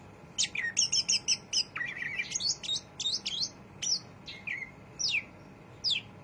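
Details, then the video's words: Greater green leafbird singing in its chattering 'ngriwik' style: a quick, busy run of sharp chirps, upslurred and downslurred whistles and twittered notes, bursts clustered densely in the first half, then sparser single sweeps toward the end; faint steady background hum. "cucak ijo rajin ngriwik"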